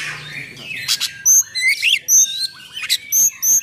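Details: Oriental magpie-robin in full vigorous song with rough fill-ins, used to provoke and train other magpie-robins: loud piercing whistles, harsh buzzy notes and sharp high chips in quick succession.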